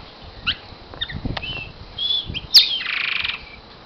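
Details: A Northern Cardinal held in the hand sings, giving scattered high chirps, a clear held whistle, then a fast buzzy trill of about half a second, with soft handling noises.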